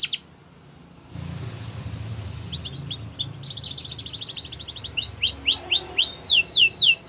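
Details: After a quiet start and a burst of low background hum, a canary breaks into song: a few thin chirps, a dense buzzy rattle, then clear high downslurred notes repeated steadily and growing louder.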